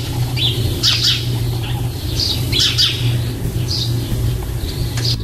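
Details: Young starlings in a nest box, close to fledging, recorded on 4 May 2014: short, harsh, high chirps and squeaks in clusters, spaced irregularly, over a steady low hum and rumble.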